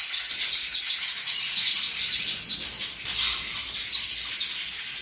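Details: Baya weavers nesting in a coconut tree keep up a steady, high, wheezy chatter of many overlapping calls, with no other clear sounds.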